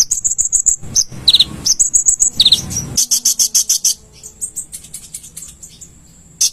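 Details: Konin singing on a cage-bird master recording: high whistled trills and sharp chirps over a faint low hum, turning into a denser burst of fast chirps midway, then thinning out.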